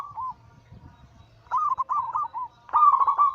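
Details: Zebra dove (perkutut) of local Bangkok stock crossed with cemani katuranggan silver, giving its anggungan song as a daily lure: a brief coo, a pause, then two rolling, trilled cooing phrases near the same mid pitch.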